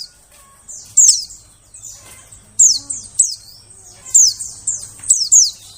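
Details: White-eye calls used as a lure to attract birds in the forest: thin, very high notes that slide downward, given in quick pairs and triplets every second or so, with faint low hum underneath.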